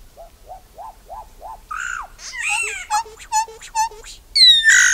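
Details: Solitary black cacique (bauá, boé) song: five soft arched whistles, a harsh nasal squawk, then quick bubbling notes with low hollow tones, closing with a loud buzzy screech.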